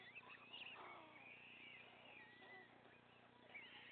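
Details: White stork chicks, three remaining young on the nest, give hoarse, wheezy, mewing begging calls in a rough, uneven stream while their father feeds them, over a steady low electrical hum.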